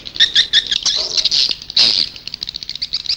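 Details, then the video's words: A recording of Indonesian swiftlets used outside the house to lure swiftlets: a fast, dense twitter of high, sharp notes, several per second, with a few longer buzzy squeals mixed in. "âm yến ngoài nhà"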